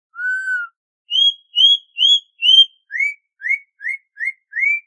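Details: Campo troupial from Brazil in the "canto clássico dobrado" style: a long low whistle, four higher level whistled notes, then five short rising whistles in quick succession.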